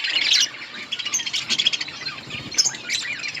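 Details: Budgerigars in an outdoor colony chirping while eating: dense, overlapping high twittering and squawky notes from many birds, with a louder burst at the start and short chattering phrases throughout.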